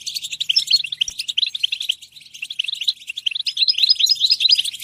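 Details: European goldfinch twittering song, fast tinkling and chattering notes with brief whistled slurs, continuous over several seconds with a faint low hum at the start.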